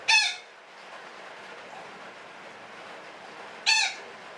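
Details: Parakeet calling in the long chattering style known as ngekek panjang: a gritty squawk right at the start, then hiss for over three seconds, then a matching second squawk.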